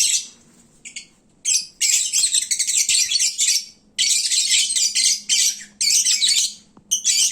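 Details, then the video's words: Sleepy, well-fed lovebirds at midday: after a quiet start, sudden loud outbursts of harsh high twittering and squeaks come in several long bursts. "Kicauan Lovebird saat mengantuk. Duuh berisiknya !!!"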